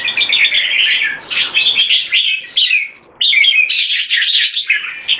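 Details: Two competition-class red-whiskered bulbuls singing in cages during fast display. Lively warbled phrases repeat almost continuously, with a quieter pause before a strong new burst and scattered clicks.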